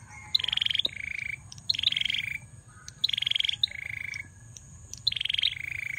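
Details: Active song of a male bar-winged prinia: each phrase opens with a rapid high stuttering buzz and drops into a lower, steady buzzy trill, the two-part phrases following one another almost without pause.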